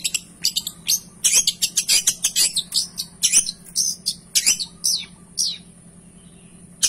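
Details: Cendet, the long-tailed shrike, singing a rich varied strophe: dense rapid chirps and scratchy high notes, then slower falling whistles trailing into quiet, over a low hum.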